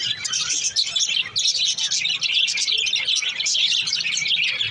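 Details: Several pet budgies warble and chirp nonstop, a bright, crowded mix of shrill tweets and rippling squeaky phrases that stays steady and loud from start to end.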